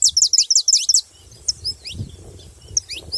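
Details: Saffron finch delivering a fast run of bright, high chirps, then sparser downward notes over a soft low rumble.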